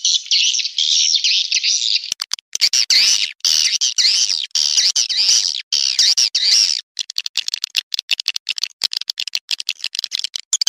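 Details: Swiftlet lure call: a steady high buzzing chatter for two seconds, then choppy buzzy chirps mixed with sharp clicks, ending in a rapid series of dry ticks.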